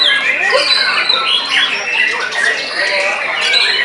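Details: Caged white-rumped shama in full post-moult song, described as singing aggressively; rapid mix of sharp whistles, buzzy rasps and chattering notes delivered nonstop.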